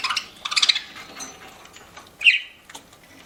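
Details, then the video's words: Budgerigar kept as a pet, eating and chirping: a quick cluster of high twittering notes at the start, then a single bright chirp, with faint seed-cracking noises in the quiet gaps. "PARAKEET EATING SOUNDS"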